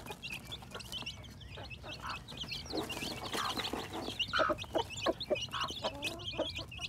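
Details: Newly hatching chicks in spring 2021 peep steadily in a high chorus, mixed with frequent lower clucks and a brief louder burst near the middle.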